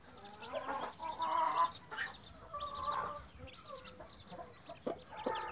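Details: A Blue light mother hen clucks in warbling bursts amid her chicks, whose thin high peeps recur throughout, followed by a couple of short sharp knocks near the end.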